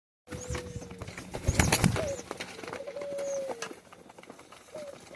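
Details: Hungry caged pigeon begging during hot summer weather, giving thin, steady whistled notes, a long level tone then shorter ones that dip at the end, over frequent clicks, pecking and rustling in the enclosure.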